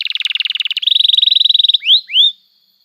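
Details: Canary song used as a lure to teach young canaries to sing and to restart canaries that stopped singing: a fast, even trill of high bubbling notes, then two sharp rising whistled slurs, over a faint steady background tone.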